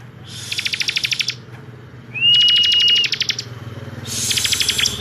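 Bar-winged Prinia giving rapid, buzzy, high trills in bursts of about a second, with one steady thin whistle between them; a faint low hum underneath.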